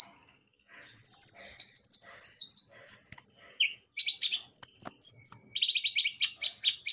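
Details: Javan white-eye song serving as a lure to prompt birds to sing: a long run of fast, high chirping notes, slurred descending whistles, then dense bursts of quick twitters to the end.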